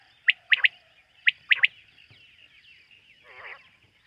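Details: Quail calling at night: two clear groups of three sharp, high notes in the first second and a half, then a faint trailing murmur and one soft, rough burst near the end.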